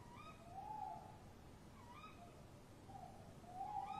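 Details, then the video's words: Tawny owl pair calling to each other near a nest box at 03:07 at night, 23 March 2015: a steady, low hooting tone from the male overlaps sharp, rising kewick calls, one after another. "Bosuilen roepen V roept op tak M in kast"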